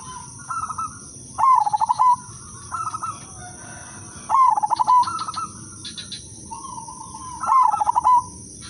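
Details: Udanmas silver zebra dove singing a lure song to prompt other doves: pulsed, rolling coo phrases repeated roughly every three seconds, alternating slightly higher and lower phrases, over a constant high-pitched background hum.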